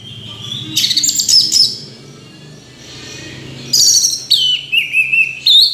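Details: Song of an orange-headed thrush: two separated bursts of rich warbling, the second ending in clear rising and falling whistles repeated several times.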